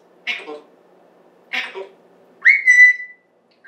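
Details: Pet African grey parrot indoors, kept since December 2020, recorded September 14, 2024, talking: two short speech-like syllables about a second apart, then a long clear whistled note holding level before fading, another whistle starting at the end.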